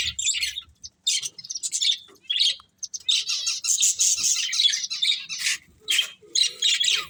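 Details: Breeding pair of budgerigars, caged pets, giving bursts of scratchy, buzzy chirps and warbles broken by short pauses, with a few quieter gaps between phrases.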